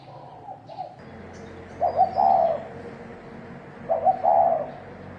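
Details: Spotted dove giving a 'thổ đồng' fighting call used to provoke rival males: two loud coo phrases about two seconds apart, each a short stuttered note running into a longer rolling, mellow coo, after softer cooing at the start.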